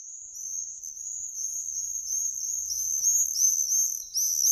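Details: Common swift giving a continuous series of shrill, buzzy, high screams, overlapping trills that rise and fall, growing louder toward the end; no other clear sounds.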